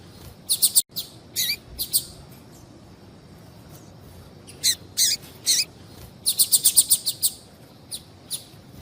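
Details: Double-collared Seedeater female calling for males. Scattered high, clipped chips, a few with a dropping tail, build to a tight burst of about seven rapid notes near the end.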